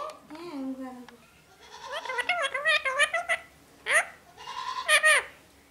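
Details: Pet parrot imitating human words such as mummy and papa: a drawn-out falling note, then a burst of rapid, raspy syllables, a sharp squawk and a final harsh chattering phrase, recorded indoors with no other clear sounds.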